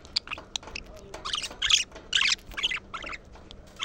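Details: Budgerigars chattering, a sound used to stir up the birds and encourage females to mate: rapid harsh scratchy squawks and clicks in quick irregular bursts.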